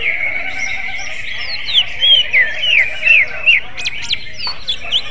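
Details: Greater green leafbird singing in a magpie-robin manner, soft notes giving way to a loud series of curling whistled phrases around two to four seconds, then a few sharp high chirps.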